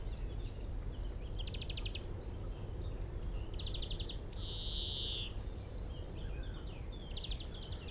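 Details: Male European greenfinch singing from a tree at Minsmere, about 25 m away, recorded by mobile phone through a telescope with a shotgun mic: short buzzy trilled phrases repeated across the clip, with a longer wheezy drawn-out note midway, over steady low rumble.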